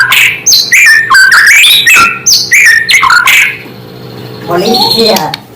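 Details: White-rumped shama song meant to provoke other shamas: rapid varied whistled phrases with sharp rising and falling notes for about three seconds, then a softer chattering passage over a steady low hum.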